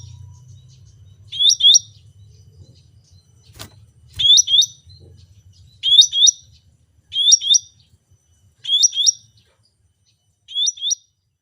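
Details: Cucak rante, or ruby-throated bulbul, singing a short, bright, high whistled phrase of quick up-and-down notes. The phrase repeats six times, about every one and a half seconds, with a faint low hum early on and one sharp click.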